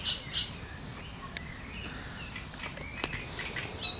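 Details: Great reed warbler in reeds giving a few harsh, grating chattering notes, two quick bursts at the start and another at the end, with faint ticks between.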